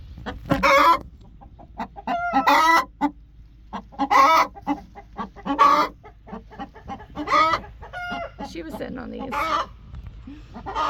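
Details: Broody chicken sounding angry: repeated harsh, raspy squawks roughly every one to two seconds, mixed with low grumbling clucks in between.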